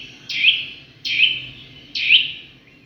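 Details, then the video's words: A bird calling three times, each note a loud, harsh, slightly descending squawk spaced about a second apart, over a faint low hum. "#Sound of Birds/பறவைகளின் சத்தம்."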